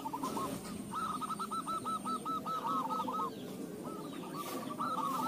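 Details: Zebra dove singing, a recording meant to coax other doves into answering: a fast trilled run of cooing pulses lasting about two seconds, then a shorter burst near the end, over steady background hum and rustling noise.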